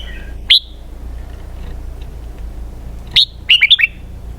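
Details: A red-whiskered bulbul opens with a single sharp whistle, then after a long pause gives a loud note and a quick run of looping whistles, in the 'double-twist' song style.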